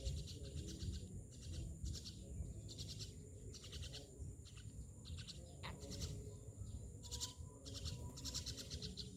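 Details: Myna calling in a steady series of rasping, noisy bursts, some paired, against a constant low hum and steady background noise.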